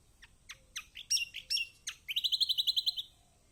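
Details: Lemon-bellied white-eye, as a lure for a silent bird: a rising series of high chirps and sharp slurred notes, then a fast even trill of roughly ten notes held at one pitch.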